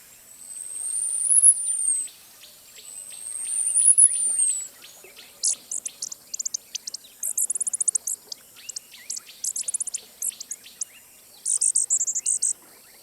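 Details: Costa's hummingbird of the arid southwest United States and northwest Mexico: two long, very high thin whistles rising and falling, followed by bursts of sharp, high ticking notes in quick clusters.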